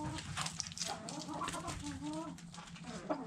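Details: Backyard hens eating food scraps, with soft, low clucks and short murmured notes scattered through the moment, over a steady background hum and frequent sharp pecking clicks.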